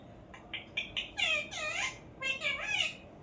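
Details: Parrot starts with several short, clipped notes that quicken, then gives a run of loud, harmonic arched calls, each swooping up and down, ending in a wavering pair.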